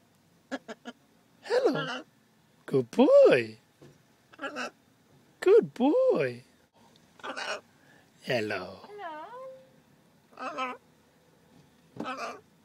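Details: A 7½-month-old male pet blue-and-yellow macaw in a harness, out in a car on a day trip, repeats "hello" in different accents every couple of seconds with short squawky notes, and a person speaks between them.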